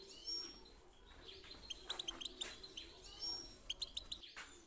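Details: Goldfinch singing 'pit pitak' and 'chi chiu' phrases, used to encourage other birds to sing: thin drawn whistles, then rapid runs of crisp high ticks in two bursts amid constant hiss.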